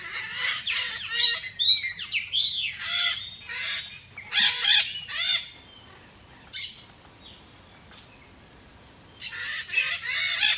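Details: Wild, free-living Red-shouldered macaws (Diopsittaca nobilis) in Brazil give harsh, screechy squawks in rapid bursts of several notes, then a quiet gap, then another loud chattering burst near the end.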